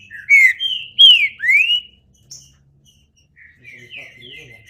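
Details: Green-winged saltator singing: three loud, slurred whistled phrases in quick succession, each sweeping down or up, followed by a pause and softer, thinner whistles trailing off.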